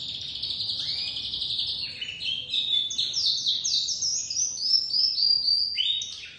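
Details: Young white crested domestic canary, a dominant white chick just starting to sing: a continuous high warbling run of rapid trills and chirps, shifting between phrases, with faint low background noise.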